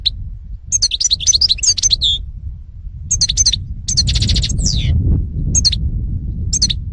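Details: European goldfinch (karderina), 2018 recording, delivering rapid liquid twitters and high whistled notes in bursts, including a buzzy trill and a descending slurred note, over a steady low rumble.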